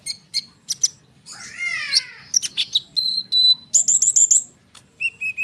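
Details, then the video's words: Lure song of a lively konin bird for sunbirds: clipped high chirps, a falling buzzy chatter, then repeated bright whistled notes in short rapid strings. "konin gacor ngerol suara rapat untuk pancingan kolibri"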